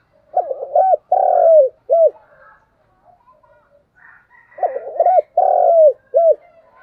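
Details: Spotted dove used as a decoy, giving a strong 'thúc gù sung' coo: two matching deep phrases of stuttered start, drawn-out coo and clipped final note, separated by soft twittering of other small birds.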